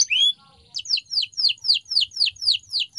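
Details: Canary training song: a long rising whistle, then a series of sharply descending swept notes repeated about every quarter second.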